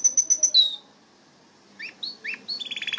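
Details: Brief canary phrase: four quick high notes and a falling whistle, a short silence, then upslurred chirps running into a fast, buzzy trill.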